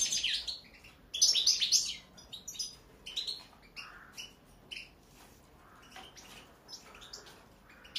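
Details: European goldfinch gives a few loud high twittering bursts at the start, then quieter scattered chirps against soft background hiss.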